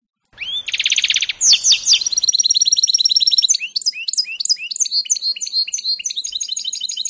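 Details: Song of a canary-goldfinch mule, 2018: a rising whistle and buzzy rattle open into a long, rapid sequence of high repeated chirps and twittering notes with no other sounds.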